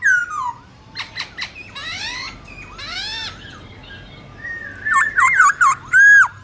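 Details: Wild-style (giọng rừng) song of a black-throated laughingthrush, played to teach young birds: scattered harsh rasps and descending slurs, then a loud run of looping whistled notes ending in a clear whistle.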